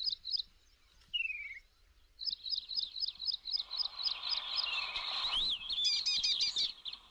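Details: Slender-billed babblers in tall grassland at Kaziranga National Park, Assam, India: rapid series of high, chattering notes from several overlapping birds, with a descending whistled phrase and faint background hiss.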